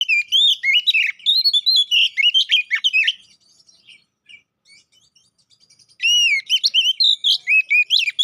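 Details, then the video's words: Caged Oriental magpie-robin song used as a lure to provoke fighting: loud, varied whistled phrases with rising and falling slurs and rapid chirps, a quiet pause midway, then the song resumes. "Pancingan Burung Kacer Poci agar Cepat EMOSI, GACOR ON KONSLET‼️"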